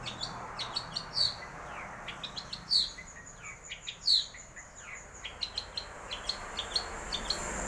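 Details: Long-tailed shrike singing scattered high chirps and ticks, with three louder, sharply rising whistled notes spaced about one and a half seconds apart, amid a faint background hiss.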